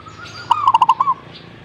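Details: Zebra dove song: a single short phrase of about six rapid, staccato, low cooing notes, the first slightly higher and drawn out, the rest bubbling evenly, over a quiet background.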